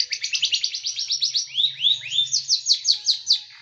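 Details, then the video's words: Rapid, tightly packed song of a small bird, sharp and rough, played to train caged birds; evenly spaced high notes at a fast steady beat, with a few lower swooping slurs in the middle. "Masteran burung kecil nembak"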